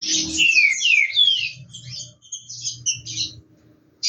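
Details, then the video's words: Green-winged saltator, a competition bird warming up before the coming season, sings loud descending whistled slurs in quick succession, then shorter scratchy chirped notes with faint low thumps underneath. "TRINCA FERRO “TROVÃO” ESQUENTANDO A GARGANTA PARA A TEMPORADA QUE CHEGA"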